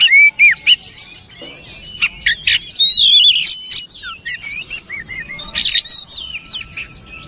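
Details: Oriental magpie-robin song used as a training recording to prompt birds to sing their repertoire: varied clear whistled phrases, slurred rising and falling notes with sharp chirps and buzzy bursts, loud in short spurts with quieter gaps.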